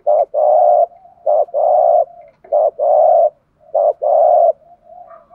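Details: Spotted dove kept as a lure, cooing in the 'thúc gù' style to stir up other doves: a brief clipped note, then a drawn-out, level, low coo. Four such pairs follow closely one after another.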